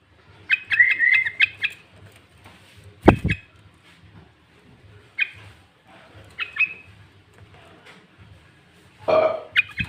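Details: Sooty-headed bulbul in intense lure song mixed with green leafbird fill-in phrases, used to provoke rival bulbuls: a quick run of bright chirped notes, then scattered short chirps, with two loud sharp clicks.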